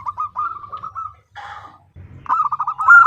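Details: Female zebra dove calling for the male, giving a fast series of soft clipped coos, a brief pause, then a louder rolling burst of notes.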